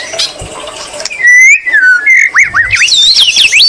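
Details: Loud white-rumped shama song with greater green leafbird imitation: a long pure whistle wavering gently, then a series of quick looping upslurred whistles climbing higher.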